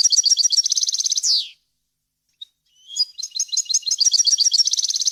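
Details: European goldfinch singing a varied wild-style song recorded for tutoring chicks: a rapid run of bright repeated notes ending in a falling slurred buzz, silence, then a fresh twittering phrase building into rapid trills.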